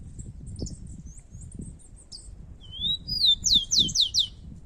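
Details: Two rufous-collared sparrows outdoors in a song contest: faint high chips and short notes first, then a clear slurred whistle and a rapid series of loud descending whistled notes.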